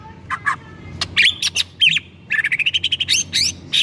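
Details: White-rumped shama song meant to spur another shama to sing, with dense, high, buzzy and squeaky notes, a quick stuttering series of short chips, and varied warbled phrases, over faint low hum.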